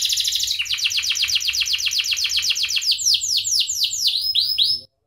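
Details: Energetic canary song meant as a tutor recording for other birds: a fast rattling trill of many rapid notes, shifting into louder downward-swept whistles near the end, then stopping abruptly; faint low hum in the background.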